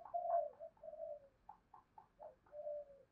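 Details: Spotted doves answering a lure call: quiet, overlapping mellow coos, some long and falling, others brief and clipped, heard against a low background hiss.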